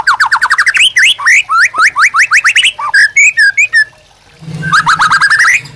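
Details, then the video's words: White-rumped shama song used as a master recording to train caged birds. Long runs of rapid rising whistled notes lead into varied chattering phrases, then a brief pause before another fast rising series. "MASTERAN MURAI BATU GACOR AMPUH UNTUK PANCINGAN DAN MASTERAN MURAI BATU JADI GACOR"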